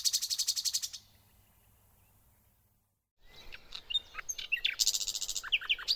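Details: Nightingale song opening with a rapid pulsed high trill, then a silent gap, followed by varied scattered notes and a renewed dense high trill.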